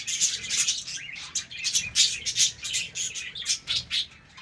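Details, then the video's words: Breeding-colony budgerigars chattering at morning play: pulsing high chirps and scratchy squeaks in quick bursts, several birds calling over one another. "Budgies sounds in HD quality| PART 1 SOUNDS AT MORNING"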